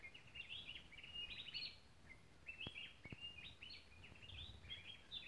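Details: Cloud-forest recording from the Tilaran Mountain ridge, Costa Rica, of a gray-breasted wood wren among other birds: clear, rapid whistled phrases stepping up and down, repeated nearly without pause, with faint low background hum and a couple of knocks.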